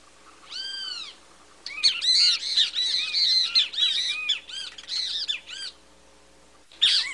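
Great kiskadee giving loud, harsh arched notes, first a single drawn note, then a rapid tumbling series of squawky calls, with a final burst.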